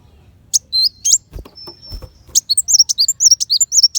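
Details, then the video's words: Sunbird singing in the 'tembakan besetan' style, a tutor recording for contest white-rumped shama: a few high chirps, a thin sustained whistle, then a quick tumbling series of sharp, high twittered notes. "Pancingan Kolibri Wulung Full Tembakan Besetan Pedas"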